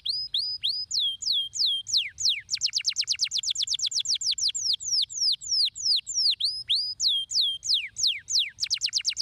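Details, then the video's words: Stimulating canary song with varied phrases: repeated curving whistles, a long very fast trill of descending notes, then slower swooping whistled syllables, clear over a faint low hum. "Muito poderoso para estimular o som! superando o chilrear dos canários preguiçosos"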